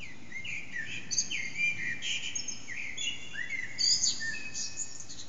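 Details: Eurasian blackbird singing in early morning around 4:30am in an echoing backyard, the bird unseen, recorded on an HTC Desire phone: rich fluty warbled phrases, several in succession, with sliding notes and high twittery endings, carried by strong echo.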